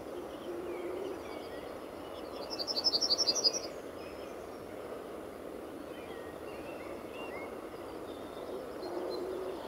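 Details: Male yellowhammer perched in a tree at a car park entrance, RSPB Fowlmere, early morning in late March 2015; one brief burst of about ten rapid high chipping notes, fairly steady pitch, with soft distant birds and background hiss.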